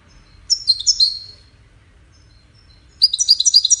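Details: Goldfinch courtship and communication song in two short bursts: first a quick cluster of bright, descending twitters, then after a two-second silence a fresh run of fast, ringing notes.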